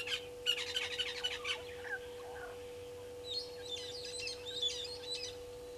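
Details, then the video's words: Harsh, grating screeches from brown-headed parrots at their nesting tree beside a waterhole on Djuma Game Reserve, Sabi Sand Wildtuin, South Africa, mid-afternoon 13 March 2022; a fast rasping series opens, followed by thinner, scratchy chattering notes. "Brown-headed Parrots at nesting tree"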